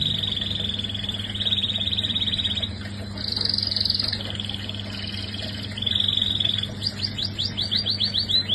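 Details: Caged canary singing long, even, buzzy rolled trills that shift between pitches, then breaks into quick repeated chirped notes near the end, over a constant low hum.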